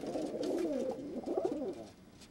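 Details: Young pigeon, same bird filmed at two weeks and at four months old, making a continuous low throaty warble that wavers up and down, then fades into quiet room noise.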